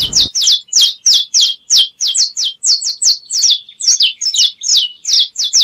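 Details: Saffron finch singing a fast series of sharp, downslurred chirps, each dropping steeply in pitch, repeated about three times a second with some paired notes, bright and high-pitched with no other sounds.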